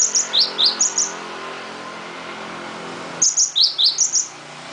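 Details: A cinereous tit sings loudly in two short bursts of crisp, high, alternating notes, each upper chip answered by a slightly lower slurred whistle, with a quiet pause of about two seconds between them.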